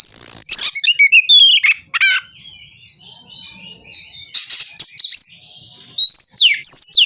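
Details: Oriental magpie-robin in an aggressive mood, seeking an opponent, pours out sharp high whistles, raspy notes and twittering phrases in quick bursts, pausing briefly with soft background warbling before resuming with bright rising whistles.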